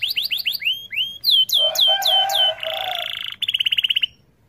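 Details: Canary singing to prompt other canaries: quick series of sharp downward-sweeping whistled notes, then a buzzy rolling passage and a fast high trill before fading out.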